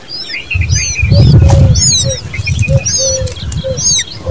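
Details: Common babbler babies calling close by: high, thin, arched squeaky notes in quick irregular succession, over low rumbling and fluttering thumps, possibly wing flapping or handling, through the middle.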